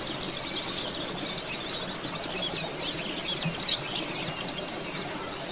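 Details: Oriental white-eyes twitter in a dense high chorus, from a recording meant to make kept birds sing: bright descending whistles and squeaky chirps come in clusters, with louder peaks roughly every second.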